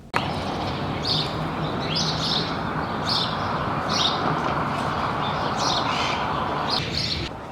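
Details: A male House Sparrow, an introduced species in Argentina, gives its characteristic vocalization near the end of winter: about eight bright, clipped chirps at roughly one per second over a steady roar like distant traffic.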